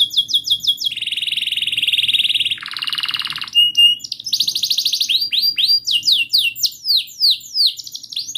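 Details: Singing canary, used as a lure to get a silent canary to sing: sustained fast buzzy trills, a lower rattling roll, then quick series of descending chirps and sweeping whistled notes, continuous and loud.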